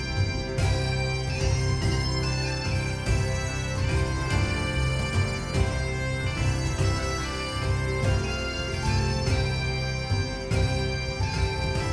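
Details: Bagpipe music with a steady drone and melody plays throughout; no animal sounds are heard.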